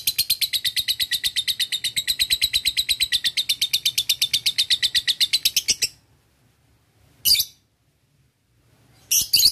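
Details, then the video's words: Male lovebird calling to a rival, a long ngekek: an unbroken, shrill, rapid chatter for about six seconds, followed by silence and two short sharp bursts. "Lovebird jantan memanggil lawan dibsertai ngetik ngekek"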